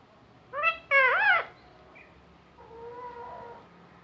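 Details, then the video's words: Talking parrot, reported to say Allah Hoo and more words, giving one short syllable and then a longer arching voiced phrase, followed by a faint steady tone and room noise. "Talking Parrot saying Allah Hoo and many more words"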